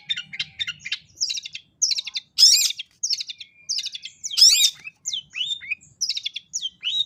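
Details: Long-tailed shrike in a varied song with cililin notes worked in, used as a night-time training recording: quick buzzy trills and chattering bursts alternate with sharp, sweeping, whistled notes, in irregular phrases with short pauses.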